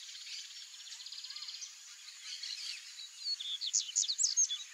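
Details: Male double-collared seedeater (coleirinho) singing. A fast, even buzzy trill opens the song, then a pause, then loud, sharp, high chipping and slurred notes follow rapidly, all over a constant thin high hiss.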